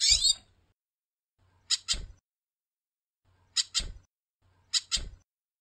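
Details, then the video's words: Captive female goldfinch calling a lot: thin, high double call notes repeated every second or two, over a faint low hum. "Fêmea de Pintassilgo Piando e chamando muito"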